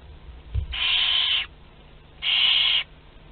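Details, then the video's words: At a group meal on 29 April 2021 in Théding, France, Barn owl nestlings of two to twelve days rasp out two long, steady hisses, each under a second, separated by a short pause, with a soft thump before. "Repas de groupe (2-12 jours) - 29/04/2021 - Les Chouettes Effraies de Théding"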